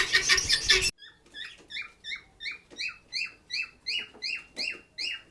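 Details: Lovebird kept at a shelter for sick birds, chirping: after a burst of loud broadband noise, a steady run of shrill, harmonic, downslurred chirps repeated about two to three times per second.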